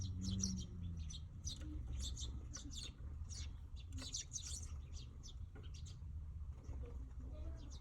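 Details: Young Eurasian tree sparrows gathered at a popular feeding spot: dense, overlapping bursts of high, thin chirps from several birds across the whole stretch, over a steady low hum of background noise.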